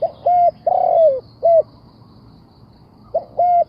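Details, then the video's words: Spotted dove, an old decoy bird used to lure wild doves into traps: low, mellow cooing notes, a short coo, a longer slurred coo, then another short coo, with a second phrase starting after a pause; steady low hum behind. "The Sound Of Spotted Dove"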